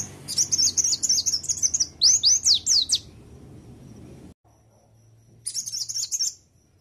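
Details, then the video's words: Master song of an oriental white-eye with sogok ontong fill, used to train other birds: fast high chattering trill, then loud down-slurred whistled notes, a short pause and another twittering burst. "Pleci isian sogok ontong||Masteran plecii"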